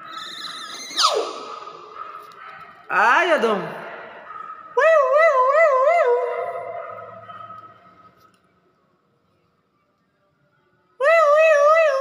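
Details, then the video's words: Hill myna mimicking words and an ambulance: sliding whoops, then a loud wavering siren-like wail with strong harmonics, silence, and the siren again; people chatter nearby. "beo bisa ngomong assalamualaikum"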